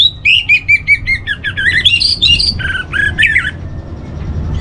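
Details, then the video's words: Orange-headed thrush master song for training, delivered as a fast run of repeated high whistled notes that break into a scratchy, jumbled warble, with low background rumble throughout. "Menstabilkan Burung ANIS MERAH Dirumah Baik EMOSI & Birahi dengan Mendengarkan Kicauan Masteran ini"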